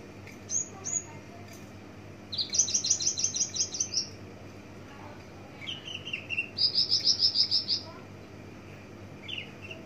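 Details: Distant branjangan parva, a Javan bush lark, delivering song variations: two brief high whistles, then rapid buzzy trilled bursts separated by pauses, over a faint steady background hiss.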